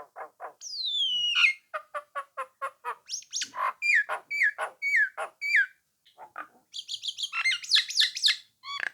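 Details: Nias hill myna in full, lively song used to provoke rival birds into answering and singing along: a long falling whistle, then quick series of clipped harmonic notes, sharp downslurs, and a burst of high chattering whistles near the end.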